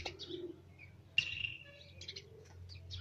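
A young sparrow gives short, high chirps and thin squeaky notes in quick bursts, with a faint low hum underneath.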